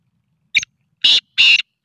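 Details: Black francolin during training: a short clipped note followed by three loud, harsh, grating bursts in quick succession, with silence between them.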